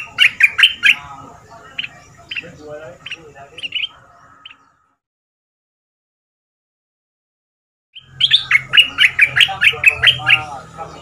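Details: Red-whiskered bulbul, a caged southern Thai decoy bird in 'double' style, caged two months, singing for young birds to learn: two bursts of quick, sharp chirping notes separated by a long silence, faint hum beneath.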